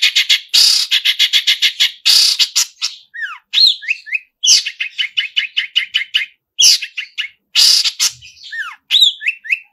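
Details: Long-tailed shrike in full, forceful mimicry song: fast harsh rattling runs broken by downslurred whistles and squeaky chirps, varied and nearly continuous.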